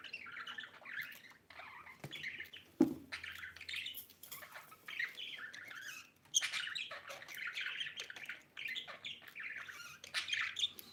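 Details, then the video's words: Budgerigar mother with her baby, kept as a pet, chirping: busy, continuous warbling chatter of short bright chirps and squeaky notes, rising and falling in bursts with brief pauses, plus one sharp click near the third second. "budgie chirping sound"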